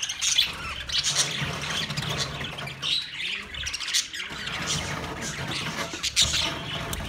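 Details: Budgerigars in a master cage, 9 March 2024: chirruping chatter and scratchy squawks in waves, with a faint low steady hum in the background.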